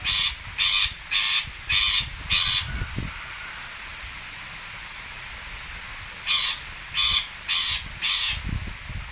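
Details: Long-tailed shrike, known locally as cendet, pentet or toet, from Singosari: harsh, broadband rasping bursts delivered in a rapid series of five, a pause of several seconds, then another run of four, over low background rumble.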